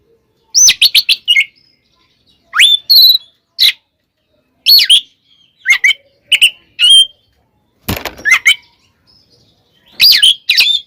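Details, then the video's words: Oriental magpie-robin fighting song for goading rival males, clusters of quick chattering notes mixed with rising whistles and a harsh rasping burst, separated by short gaps. "SUARA BURUNG kacer gacor TARUNG KONSLET nembak ini AMPUH buat PANCINGAN KACER agar EMOSI SEKETIKA"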